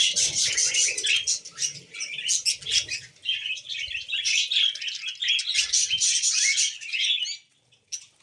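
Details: Pet budgie sounding happy: long run of quick scratchy chirps and warbled trills, dense and lively, stopping abruptly near the end.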